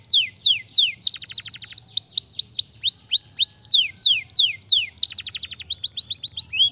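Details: Canary singing a varied run of loud downward-sweeping whistles, broken twice by short rapid rattling trills, with notes repeated about three per second over a quiet low hum.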